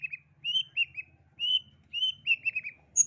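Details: Long-tailed shrike song played as therapy for a stressed shrike reluctant to sing: short, slightly slurred high whistled notes in clusters of two or three, about twice a second, over a faint low hum.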